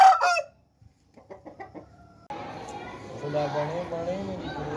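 Aseel roosters give a loud harsh crow, then a few short clucks, then a drawn-out hoarse crow with wavering tones over background noise.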